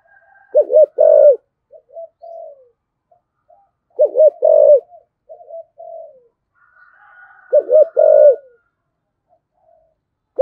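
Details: Spotted dove with a 'thổ' style voice, urging coos used to excite wild doves: three coo phrases spaced about three and a half seconds apart, each a pair of dipping, wavering notes followed by softer trailing coos.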